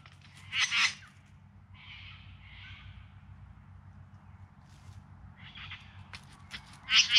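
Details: Courting bowerbird in the Yarra Valley near Melbourne, September 2020: a loud rasping burst opens, softer buzzy churrs follow in the middle, and another strong harsh burst closes the sequence.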